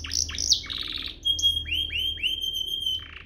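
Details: Canary song for training young canaries: buzzy chattering notes, then a long steady high whistle with a series of rising swept notes repeated about three times a second.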